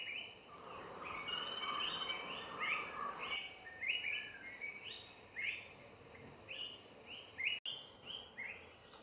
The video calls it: Greater flameback woodpecker call